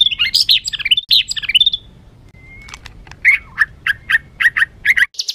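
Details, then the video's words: White-rumped shama, kept bird, singing a rough, agitated song meant to provoke other birds: rapid chattering notes and sharp chirps in a dense burst, a thin rising whistle, then spaced loud chip notes. "Materan kasar MURAI BATU penuh emosi...pacingan burung agar cepat emosi"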